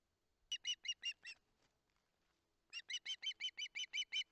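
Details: Hungry young osprey calling from its Barlinek nest on 19 July 2023: a short series of high, piercing whistles, a pause of over a second, then a longer, steady run of the same notes.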